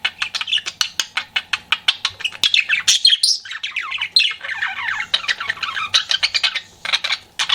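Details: Pet budgie flirting with quick rhythmic clicking chirps that merge into a rolling, wavering warble, then return to sharp repeated ticks and squawky notes.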